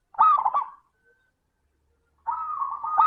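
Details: Singing local perkutut, or zebra dove, as a lure to set other doves singing: a short rolling coo, a second of silence, then a sustained, slightly wavering coo that swells at the end.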